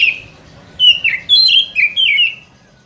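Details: Forest trapping lure of a white-rumped shama, four smooth whistled phrases gliding downward one after another, strong and close.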